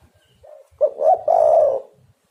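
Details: A single spotted dove phrase, played as a trapping lure: a soft low coo, then a sharp short note and a loud drawn-out rolling coo lasting about a second.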